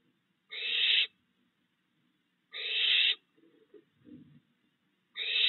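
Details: Barn owl in a backyard at night during the fledgling period, with adults still feeding three fledged owlets, giving harsh hissing screeches about half a second long, roughly every two seconds, with faint soft rustling between.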